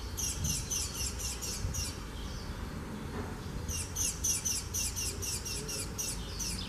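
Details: Spanish sparrow in Gáldar, Gran Canaria, March 2017, giving a run of bright, metallic chirps, about four a second, in two bursts with a short pause between; low rumble of background noise.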